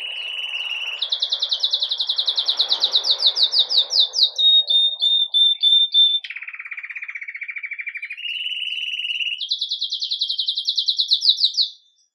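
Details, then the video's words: Belgian canary of red mosaic agate color singing campainha song as the day begins, recorded live: alternating high and low rolled trills, a clear whistled note, brief rustling noise early on. "Canário Belga Ágata Vermelho Mosaico Canto Campainha"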